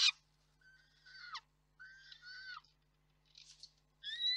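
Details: Quieter peregrine falcon calls at the Reda nest on 4 May 2023 as the parents pass food: thin, whining two-tone notes that drop in pitch at the end, with a sharp click at the start and a louder note closing.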